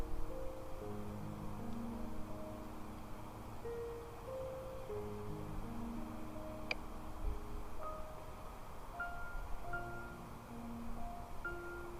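Soft, quiet music of chime-like mallet tones and low sustained notes, with no animal calls.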